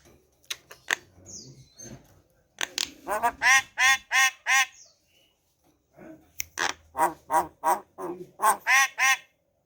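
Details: Javan myna kept at home, coaxed to sing in the morning: two bouts of loud, harsh, rasping notes repeated about three times a second, separated by a brief pause.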